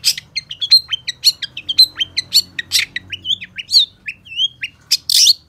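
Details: Long-tailed shrike in loud, varied song: rapid chirps mixed with clear whistled slurs rising and falling, ending in a harsh raspy burst; continuous, busy delivery.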